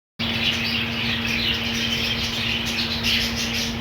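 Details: Budgerigar colony with green food, many birds chattering together in a dense, continuous wash of high twittering and warbling, a few brighter squeaky notes on top, over a steady low electrical hum.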